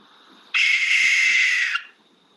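A Barn Owl gives one harsh, hissing scream lasting just over a second, broad and raspy rather than hooted, cutting off abruptly against a faint steady hum.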